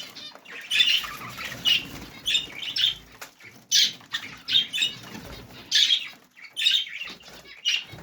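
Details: Budgerigars in the morning chatter in bright, scratchy bursts of chirps and squawks, with several birds calling at once.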